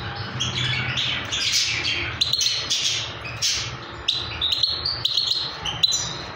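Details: Trained young Himalayan goldfinch, caged, singing a fast twittering song of bright, buzzy and liquid notes, bursts separated by short gaps, with a steady low hum underneath.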